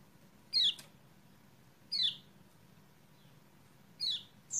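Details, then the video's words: Lemon-bellied white-eye (kecial kuning) lure recording for a reluctant singer: single bright, falling high chirps roughly every one and a half seconds over a steady hiss. "PANCINGAN CEPAT GACOR UNTUK KECIAL KUNING MACET"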